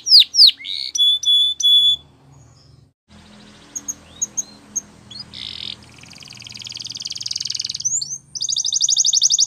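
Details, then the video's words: Belgian canary singing in bursts: a few loud high downslurred whistles and clipped notes, a quiet gap with soft background hum, scattered chirps, then a building buzzy rapid trill toward the end. "Belgian Canary Singing"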